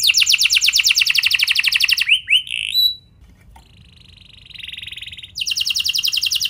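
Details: Canary song meant to set off other canaries: a fast rolled trill for two seconds, a few slurred notes, a quiet gap with a faint steady tone, then the rapid trill resumes.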